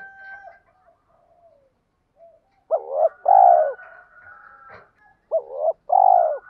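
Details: Spotted dove used as a lure, delivering two cooing phrases of a short doubled note and a longer falling coo, preceded by faint soft notes and a click.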